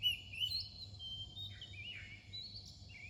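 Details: Soft, varied whistled notes from an Oriental magpie-robin near dawn. Sliding high tones come in separate short phrases over a quiet low hum.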